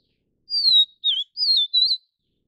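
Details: High pure whistles from a vivid niltava, Niltava vivida vivida of Taiwan: four connected notes, the opening one drawn out and sliding down, then a dip and two wavy tones, nothing else audible.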